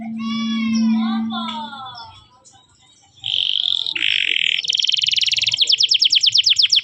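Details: {'text': 'Canary training song for young birds: after a tonal, voice-like sound with layered harmonics and a pause, the bird gives loud buzzy high phrases and fast rattling trills.'}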